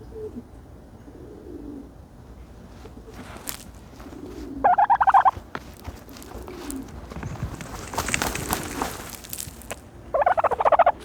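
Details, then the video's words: Two bursts of fast pulsed gobbling, several seconds apart, come from a turkey dust bathing in dirt. Low soft murmurs fill the gaps, and a broad rustling noise, likely dirt being scattered, rises between the gobbles. "the special noises of a turkey bathing in dirt"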